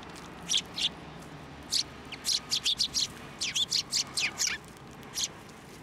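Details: Sparrows at a Tenmangu shrine on 16 December 2023, flying onto a hand to be fed; bright, high chirps in short bursts, several quick notes clustered together with brief pauses between, many birds calling.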